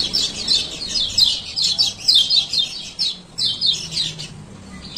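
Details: Chattering 'ciak ciak' of a male lemon-bellied white-eye, Lombok, played to revive silent birds; quick repeated high chirp groups, a brief pause near three seconds, then more bursts.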